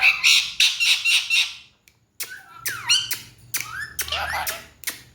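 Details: A pet talking parakeet gives a run of harsh, rapid squawks, pauses, then several sliding, voice-like whistled phrases imitating speech, while its owner talks to it in Hindi/Urdu.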